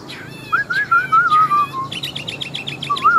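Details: Varied song from a wild-caught adult Chinese hwamei kept as a bold fighting bird: a clear whistled phrase slurring gently downward, then a rapid series of sharp repeated notes and a final rising whistle.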